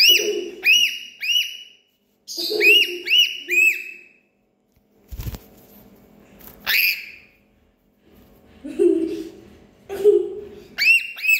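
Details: Bursts of sharp, arched parrot calls alternate with silences, a single knock-like thud and lower hoarse sounds, the high squawks returning in short series toward the end.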